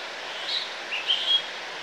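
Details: House sparrow on a roof gutter against the light in Estepona, Málaga, Andalucía, Spain, August 2018, giving a few short, bright chirps in quick succession over a steady background hiss.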